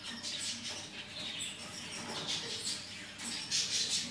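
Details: Black siskin from Bolivia giving a thin, high, scratchy twittering song of rapid jumbled notes, with brighter squeaky phrases near the end, over a steady background hiss.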